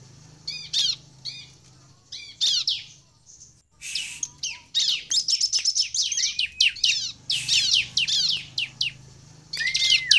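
A bar-winged prinia sings thin, high, squeaky chirps in rapid bursts, sometimes run into fast chattering strings with brief pauses between phrases.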